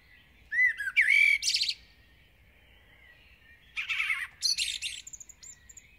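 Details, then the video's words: A village common blackbird sings intensely at dawn, two verses parted by a two-second pause, each opening with rich fluted whistles and closing in a squeaky, chattering warble, with a faint high note trailing. "𝗕𝗹𝗮𝗰𝗸𝗯𝗶𝗿𝗱 (𝗖𝗼𝗺𝗺𝗼𝗻 𝗕𝗹𝗮𝗰𝗸𝗯𝗶𝗿𝗱) (𝟭𝟭) 𝘛𝘶𝘳𝘥𝘶𝘴 𝘮𝘦𝘳𝘶𝘭𝘢 — garden bird songs and calls"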